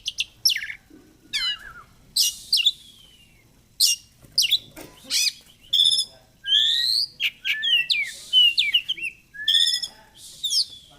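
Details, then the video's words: Oriental magpie-robin in lively fighter-style song with 'ngobra' display: sharp descending chirps, buzzy bursts and slurred whistles tumbling in quick, irregular sequence. "Kacer gacor fighter//ngobra Joss//terapi untuk Kacer susah bunyi"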